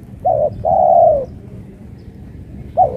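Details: A spotted dove set out on vacant land in the afternoon, singing again days after losing a contest, gives clear, mellow coos: a short note, then a longer drawn-out one, and another begins near the end.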